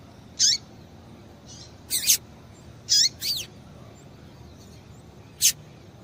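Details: Female Double-collared Seedeater call used to stir males into singing: scattered high, thin notes, some doubled, with quick downward-sliding tails and irregular gaps.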